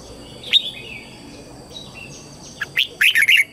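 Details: Red-whiskered bulbul lure bird calling wild birds to fight: an isolated sharp note, soft slurred whistles, then a rapid phrase of bright, warbling notes near the end over a faint constant high tone.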